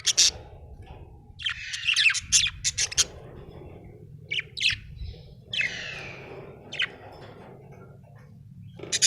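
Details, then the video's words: Happy budgerigar chattering with rapid scratchy chirps and short buzzy phrases, separated by brief pauses, against a faint low hum. "Happy budgie chirping sound"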